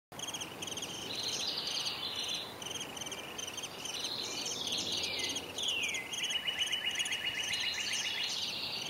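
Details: Downy Woodpecker nestlings squeak from a tree-hole nest in spring as the parents arrive to feed them: dense, rapid high chittering trills with falling sweeps, continuous and overlapping throughout.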